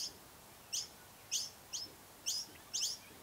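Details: Noisy miner at its nest, recorded on a Canon DSLR camera: short, sharp, high chirps with a downward sweep, spaced irregularly about every half second, over a faint, steady background hiss.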